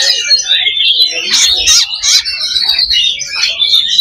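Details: Several Oriental magpie-robins in a simulation to build fighting spirit: loud, overlapping whistled phrases and rattling chatter, with bursts of harsher notes in the middle.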